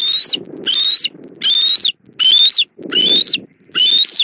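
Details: Bald eagle on a nest camera in Southwest Florida, evening of 1 April 2024, as the mother brings food to the chick: loud, squealing high whistles that rise then dip, repeated about once a second, six times, with brief silences between.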